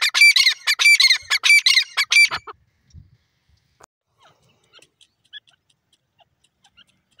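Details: Grey francolin, known locally as teetar, giving a loud burst of rapid, harsh, ringing repeated notes for about two seconds, then falling quiet, with only faint scattered chirps and ticks afterward.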